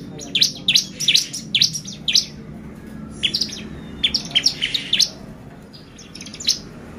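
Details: Bar-winged prinia singing as a lure to excite birds, with clusters of hurried, high, scratchy notes in quick bursts, a brief lull, then scattered single chips.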